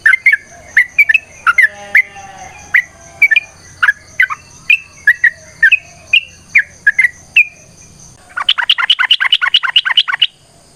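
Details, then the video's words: ['Yellow-vented bulbul giving a fighting-style song with long phrases, used to set off other birds. A series of separate slurred whistled notes is followed near the end by a fast, sharp chattering trill of about a dozen notes. A thin high whine is present.'] "TRUCUKAN GACOR TARUNG ROPEL PANJANG Pancingan trucukan Agar Bunyi Jadikan Burung Trucuk Gacor Nyaut"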